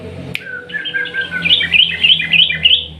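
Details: Sooty-headed bulbul in lively 'ropel panjang' song, a lure for bulbuls that have stopped singing: after a click, a continuous stream of rapid, rolling, bubbly notes rising and falling, growing louder toward the end.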